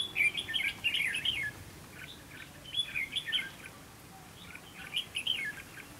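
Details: Red-whiskered bulbul used as a decoy in a fighting trap to provoke rivals, singing three bursts of quick, bubbling, warbled phrases about two seconds apart over a steady background hiss.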